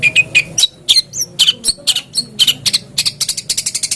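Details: Long-tailed shrike song meant to provoke a caged bird into singing: mixed whistled, rasping and chattering notes, ending in a fast even rattle-like series.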